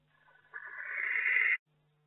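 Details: Inside an owl box in May, where a barn owl's second egg has hatched: a single rasping, breathy screech starts faint, jumps louder halfway, and holds steady for about one second before stopping abruptly, with a faint low hum underneath.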